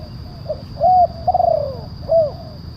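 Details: Spotted dove phrase used to bring down wild doves: short note, clear coo, long vibrating coo gliding down, then an arched coo, set against a steady low background drone.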